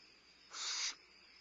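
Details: Barn owl owlet at Starr Ranch, recorded at night on 22 May 2011 while having a midnight meal: a single harsh, hissing screech lasting about half a second, rising into a louder breathy rasp, over a steady background of insect hum.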